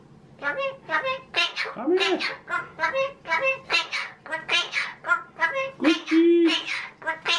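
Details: Pet male magpie chattering in imitation of human speech, a steady stream of rapid voice-like syllables with rich harmonics, some short whistled notes and two drawn-out, pitched, wavering sounds mixed in, heard indoors.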